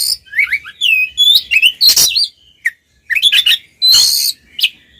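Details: Ngeplong singing by two Oriental magpie-robins, intended to make mute magpie-robins join in: varied whistles and twisting phrases mixed with buzzy rasping bursts, delivered in quick runs with a short pause midway.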